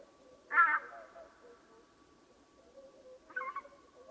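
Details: Swans before dawn: a strong nasal honk with a fading tail, soft low murmuring notes, and a second, quieter honk near the end.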